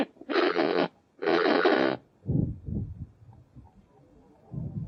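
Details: Kakapo producing two long, grating squawks back to back, followed by several soft, low grunting pulses.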